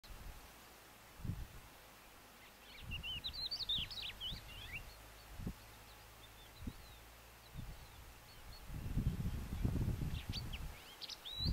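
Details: Thekla's lark (Galerida theklae theklae) in Ronda, Spain, in April, gives two short bursts of sweet, fluty song, quick rising and falling whistles, over steady wind rumble and low thumps.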